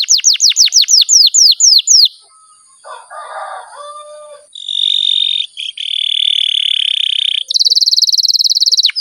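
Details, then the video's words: Canary in long rolling 'ngerol' song, a lure for other canaries: a string of about a dozen quick down-slurred chirps, a soft murmuring pause, then a sustained buzzy trill and a high rapid roll. "BURUNG KENARI GACOR NGEROL PANJANG JITU"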